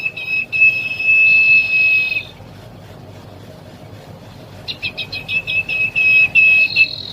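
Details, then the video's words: Young common iora holding a long, flat, high whistle for two seconds. After a quiet gap comes a quick series of sharp chipping notes and another drawn-out whistle. "anakan cipoh sirtu calon gacorrr"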